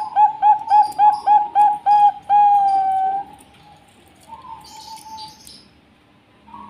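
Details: Zebra dove of the Bangkok type singing: a run of about eight short, clear whistled coos near one pitch at a steady quick pace, then a longer held note, followed by fainter softer trailing coos.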